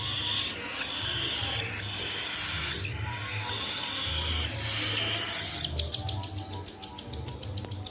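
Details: Baby cockatiel being hand-fed at home, giving a burst of rapid, raspy, rhythmic begging notes toward the end, repeated several times a second over a steady low hum and rustling handling noise.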